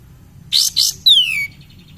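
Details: Lure song of a cream-vented bulbul (kapas tembak), meant to stimulate other birds: two short harsh bursts followed by a single long, clear whistle sliding downward.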